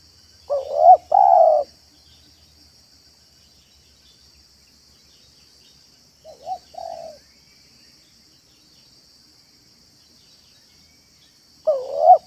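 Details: Spotted dove lure recording for attracting doves, 'manggung' and 'meratus' cooing styles: three spaced mellow coo phrases, the middle one softer, with a steady high insect-like hiss throughout.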